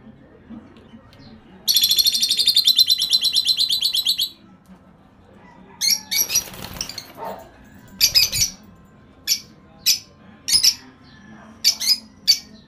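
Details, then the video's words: A caged parakeet gives a rapid, high, buzzy warbling trill for about two seconds, then after a brief rustle a string of short, sharp chirps roughly every half second; finding: Parakeet. "AMAZING whistle Of Parakeet Bird"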